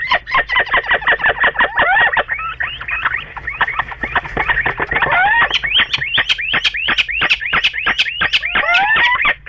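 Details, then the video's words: A pair of little owls in a bedroom on 29 March 2013, calling in a fast, ragged series of rasping, clucking notes, about three per second, continuous throughout. "Both Little Owls in the Bedroom"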